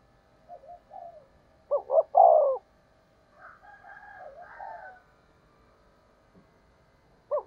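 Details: Spotted dove used as a lure for wild doves: one loud hollow phrase, a double note then a long coo, preceded by soft low coos and followed by a fainter, higher, wavering cooing from a second dove.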